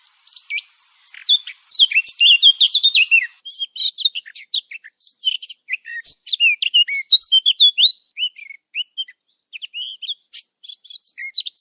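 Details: Eurasian blackcap (Sylvia atricapilla) song, used as a hunting lure: a rapid, varied warble of high chirps and short twittering phrases, nearly continuous with brief pauses and no other sounds.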